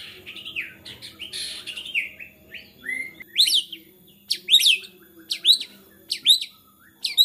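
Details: White-rumped shama singing agitatedly, a song that provokes other shamas: varied harsh phrases, then sharp upswept chip notes repeated about every three quarters of a second, steady faint hum behind.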